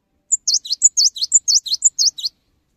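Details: Lively cinereous tit song, played to prompt other tits to sing along. Clean, high, whistled phrases, each a sharp high pip followed by a swooping dip and a lower downslurred note. Repeated four times quickly against silence.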